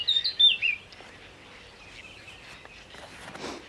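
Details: A Black-necked grebe at Spytkowice on 9 June 2013 gives a quick, high whistled trill that rises and falls over under a second, followed by quiet outdoor background with faint distant chirps.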